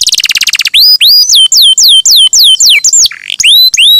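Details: . Lively canary song used as a lure to make other canaries sing: a brief very fast buzzy trill, then a string of high whistled slurs about three per second, each sweeping down then up, with another short roll between.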